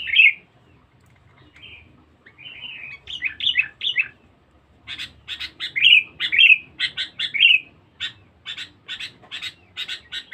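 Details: Sooty-headed bulbul, a vigorous lure singer: an opening warbled phrase and soft chatter build into rapid chips alternating with rich bubbly whistles, then a closing series of crisp repeated chirps.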